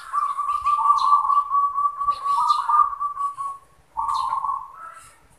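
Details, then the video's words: Zebra dove perched and singing, with mellow, trilled cooing phrases held on a steady low pitch. Two long rolling coos are separated by a brief gap, with faint clicks in the background. "Zebra Dove | Perkutut manggung"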